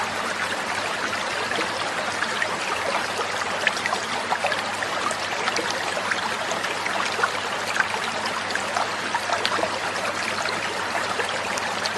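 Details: Steady trickling and splashing water fills the recording throughout, with no animal calls heard.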